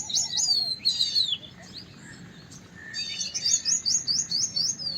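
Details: Large pied wagtail singing quick high trilled and slurred whistles, then a pause, then a fast run of repeated sharp chirps, roughly two per second; faint lower warbling notes in the background.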